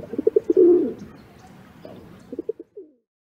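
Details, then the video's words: A rock pigeon gives low, throaty coos: a few quick pulses swelling into a rolling, burbling note, followed by a shorter run of soft coos. "Rock Pigeon"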